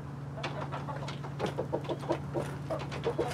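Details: Chickens in a mixed flock of hens (Light Brahma, Barred Plymouth Rock, White Leghorn) and Rhode Island Red roosters, filmed live; rapid low clucks repeated in quick runs, growing louder midway, over a constant electrical-sounding drone.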